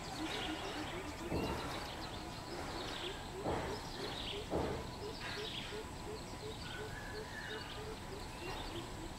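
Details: Greater coucal on 13 June 2020 giving a rolling series of low hoots, roughly three a second, broken by a few sharp knocks and clatters, with faint high bird chirps behind.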